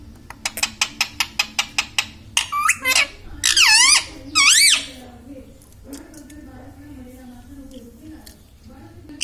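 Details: Talking pet Indian ringneck parakeet in a room, known for saying mummy and radhe radhe; a quick series of about ten clicks, followed by four shrill, bending voiced bursts, then quiet hum.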